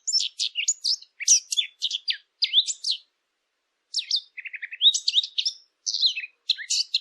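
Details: Rapid high twittering from a bird, bursts of clipped chirps and whistled slurs, a pause near the middle, then a fast stuttering series of lower notes before the chatter resumes.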